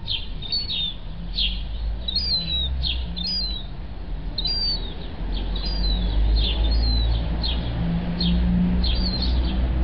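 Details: Young gull chick, thirty days old and kept at home, peeping rapidly: high thin whistles, some with a quick upward flick before falling, coming several per second over a loud low rumble.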